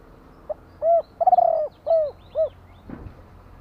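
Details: A spotted dove gives one mellow cooing phrase: a faint introductory note, a hollow coo, a longer tremulous rolled coo, then two falling coos. A brief soft noise follows at the end.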